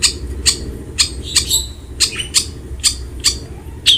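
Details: Long-tailed shrike, recorded as a training recording to prompt quiet shrikes to sing: sharp, high chips repeated roughly every half second over a steady low background hum.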